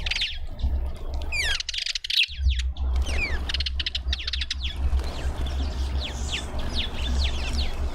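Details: Hungry Cape white-eyes at a feeder in a suburban garden in Pretoria, South Africa: quick, thin, high chirps and short trills overlapping almost without pause, over a steady low rumble.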